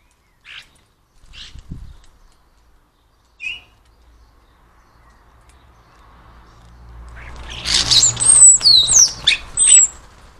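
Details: European starling imitating the calls and songs of other birds: a few short isolated chirps early, then a rich run of sharp slurred whistles, squeaks and rattling notes rising and falling, several per second, after a quiet pause.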